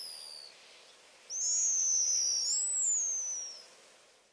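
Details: Pigeon Guillemot giving its scream, a raspy wail of alarm when startled or a predator is near, posture neck outstretched with head horizontal: one long high whistle sliding gradually downward over two seconds, following a fainter earlier downslur.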